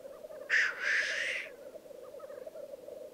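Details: Lekking black grouse on an Alpine display ground in Piedmont, Italy, 2022: one loud rasping hiss lasting about a second rises over the steady, rolling bubbling chorus beneath.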